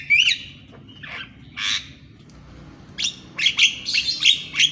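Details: Morning song of a Javan myna for training reluctant birds: a bright twisting whistle, pauses, scratchy bursts, then a fast jumble of harsh chatter and clear whistled notes.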